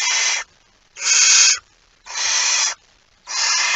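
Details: Barn owl at the nest holding mouse prey, recorded after midnight on 23 September 2019; four strong, even, snoring hisses, each about half a second long and spaced about a second apart.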